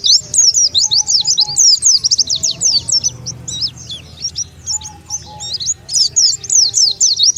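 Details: Oriental white-eye lure call, used to draw wild white-eyes together: a fast, dense stream of high, thin chirps and twittering slurs, about four a second, with faint lower whistles underneath.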